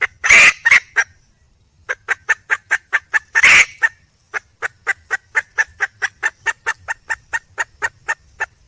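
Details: Female red junglefowl in the wild calling to attract a male: two loud, raspy squawks, then a long run of short, even clucks at about four per second, steady and rhythmic against a quiet background.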